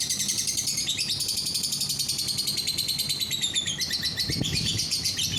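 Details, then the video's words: Lovebird singing, played to get other lovebirds to join in: sustained rapid chattering of high chirps and trills, a brief lower rustle near the end. "DENGAR SESAAT SAJA, bikin lovebird yang lain ikut bunyi"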